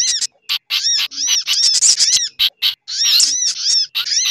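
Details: Noisy sunbird lure combination with other birds such as a chattering bulbul: almost continuous high, rasping chirps and thin whistled arcs crowded together.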